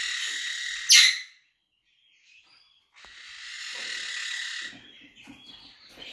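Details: Monk parakeet letting out one sharp, loud squawk, then after a moment of silence a longer harsh, buzzy screech and a few softer scratchy notes.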